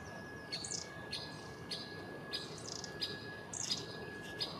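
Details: A Great Spotted Woodpecker, probably a very vocal female, unseen through leaves in trees near the Albert Memorial, gives sharp, high 'kik' notes about every half second, over faint hum and rustling of long-tailed tits.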